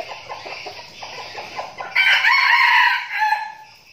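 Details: A red junglefowl from a flock of decoy birds in training gives soft, quick clucks for about two seconds, then a loud, hoarse crow that rises, holds and breaks off abruptly.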